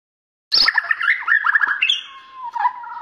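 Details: Captive Borneo white-rumped shama in an energetic bowing display, bursting into a rich jumble of warbled and whistled notes after silence, ending on lower steady whistles.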